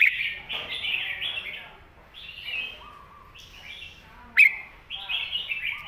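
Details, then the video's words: Red-whiskered bulbul singing a master song for teaching young birds: slurred, bubbling whistled phrases with a low note between them and a sudden sharp click midway. "สำนวนแม่บท"ร้องชัด สอนลูกนกอยู่บ้านติด100%"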